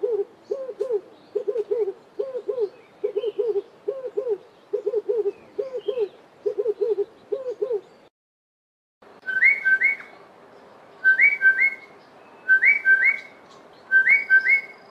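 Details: In a garden in the Eastern Cape, South Africa, a Red-eyed Dove gives low, hoarse coos in a steady rolling series for about eight seconds, then another bird's higher paired whistles repeat several times.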